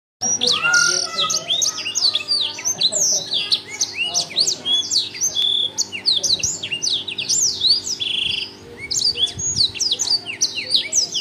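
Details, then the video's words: A black-throated canary sings loudly, a fast unbroken warble of bright, high twittering notes and quick slurred whistles, over a steady low electrical hum. "burung blackthroat gacor kenceng"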